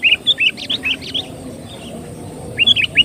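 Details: Lure song of the sooty-headed bulbul: a quick string of bright, bubbly, slurred whistles, a short lull, then another lively burst of rising and falling notes.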